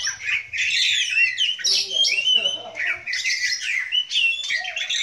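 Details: Oriental magpie-robin at a Sunday bird meet-up in loud, unbroken song: rich whistles mixed with harsh squawky and scratchy notes, changing rapidly at a high pitch; no other sounds stand out.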